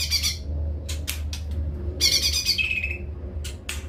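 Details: Lesser green leafbird (cucak ijo mini) giving short, harsh, high chattering bursts and a half-second buzzy trill over a steady low hum.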